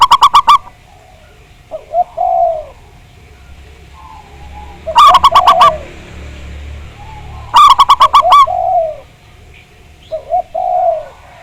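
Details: Zebra dove, local Javanese bird, recorded as a lure to trigger singing. Fast clipped notes repeat in short bursts, interleaved with low, slurred coos that fall at the end. A faint low hum runs underneath.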